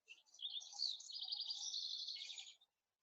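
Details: House wren song in a field full of singing song sparrows in the morning: a fast, bubbling jumble of high chattering notes tumbling on for about two and a half seconds, with a faint low background murmur.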